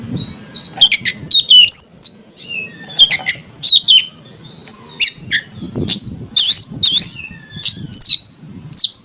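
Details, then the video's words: Oriental magpie-robin song intended to provoke other magpie-robins into singing: energetic mix of whistled slurs, harsh chatter and sharp clicks in rapid, uneven phrases with low background rumble. "AMPUH CARA MANCING KACER 5 MENIT LANGSUNG MONCER"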